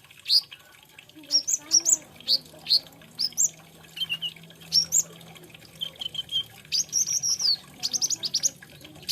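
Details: Olive-backed sunbird, locally kolibri ninja or konin, singing spaced high chirps every half second or so, building into a denser twittering sequence toward the end.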